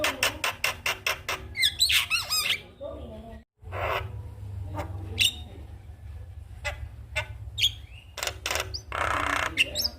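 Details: Javan myna song used in the morning to stimulate other mynas: quick harsh clicks and warbled whistles, a brief silent break, then scattered rasps and buzzy bursts.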